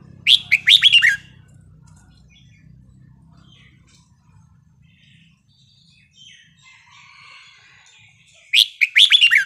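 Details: Red-whiskered bulbul repeating its wild-type song: a fast string of five or six bright, bubbling whistled notes, then about seven seconds of near quiet with faint distant chirps, then the same phrase again.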